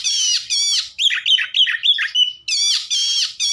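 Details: Oriental magpie-robin song used to rouse other magpie-robins: harsh, buzzy harmonic notes at the start and end frame a middle run of quick, clear whistled notes repeated about three times a second.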